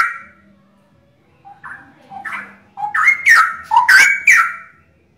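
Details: Three Straw-headed Bulbuls sing together: a few soft opening notes, then loud, rich, bubbling whistled phrases that swoop up and down.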